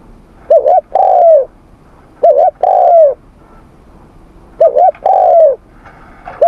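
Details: Repeated morning coos of a spotted dove in voice training, three similar phrases about every two seconds, each a brief rising-falling note followed by a longer sliding coo.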